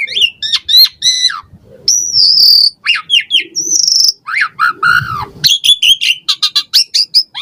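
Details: Asian pied starling singing steadily with a varied fill-in repertoire, played to coax caged birds into song: clipped rising whistles, a sustained high note, rattling trills and fast chattering notes in quick succession.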